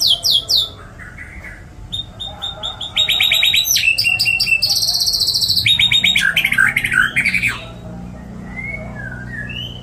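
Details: White-rumped shama singing a rich song described as filled with cililin and kapas tembak material, delivered continuously. Opens with quick high chirps, then dense rapid trills and stuttering rattles, pure whistled tones and bubbling notes, ending in softer slurred whistles.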